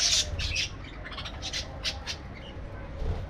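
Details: Parakeets housed in an aviary: a loud shrill squawk opens, followed by a series of brief clipped chirps spaced irregularly, then fainter calls, against a low hum.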